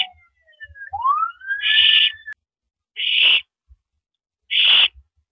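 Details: Owl pair at the nest on an April 2012 night while the male passes a rabbit to his mate after feeding; a siren wails first, then three rasping, breathy screeches follow at roughly one-and-a-half-second gaps.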